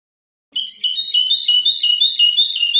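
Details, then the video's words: A caged common bulbul sings a continuous, fast warble of bright, rapidly wavering notes that rise and fall, after half a second of silence; no other sounds. "Chant du bulbul des jardins"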